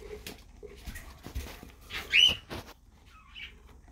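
Parakeets give short, shrill chirps and a rising squeaky whistle, with scattered clicks and rustling between calls.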